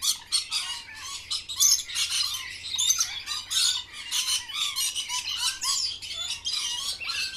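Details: At lunch time, green parrots keep up an unbroken stream of loud, grating squawks. Quick chirps are woven through the squawks, and several birds call over one another throughout.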